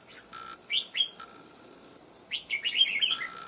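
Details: Red-whiskered bulbul taken from the wild after almost two months of trapping, singing readily and loudly: two clipped notes, a pause, then a fast run of bright, ringing twitters, with a constant thin background whine.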